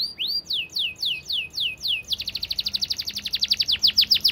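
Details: Canary singing a fast 'gacor' tutor song: six slow, looping whistled sweeps, then an abrupt switch to a rapid, tight rolling series of short falling notes, getting louder toward the end.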